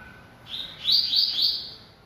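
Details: One short, strong phrase from a singing captive yellow-bellied seedeater: a rising lead-in note followed by three or four fast, ringing, high notes in a tight trill, fading quickly.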